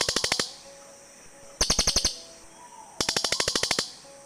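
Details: Cililin birds calling back and forth to each other, recorded for luring birds in the forest: three bursts of sharp, rapid ticking chirps, about eight to twelve notes each, separated by short pauses.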